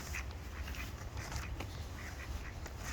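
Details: Brief stretch of ducks on a pond quacking, a few clipped nasal calls in quick succession against heavy low-pitched background noise.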